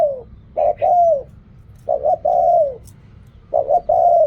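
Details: Spotted dove repeating its coo phrase about every one and a half seconds, in the riak kham, khu kham and ok rong styles: double short coo, then a longer drawn coo sliding downward.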